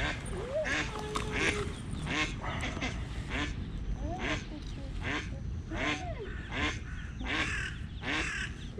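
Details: Eastern spot-billed duck, a mother with small ducklings moving at early morning, when two chicks were attacked by a cat; harsh nasal quacks arch up and down, repeated roughly every second amid steady background rumble.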